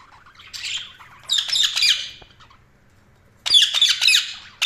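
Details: Budgerigars chirping in bursts of dense, buzzy, scratchy warbles, two long phrases then a pause and a renewed chattering burst, with a faint low hum underneath.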